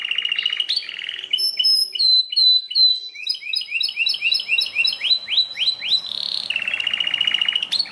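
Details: Song of a Belgian canary. A rapid rolling trill opens, then a long series of quick rising chirped notes, closing with another dense trill.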